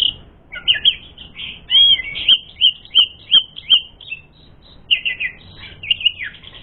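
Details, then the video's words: Richly varied song of an Asian pied starling used as a lure for fighting: chattering whistled phrases, short bright notes in quick series, then warbled and buzzy fragments, some falling steeply. "Masteran Suara Burung Jalak Suren Gacor Full Isian Mewah Jadikan Suara Pancingan Jalak Suren Tarung"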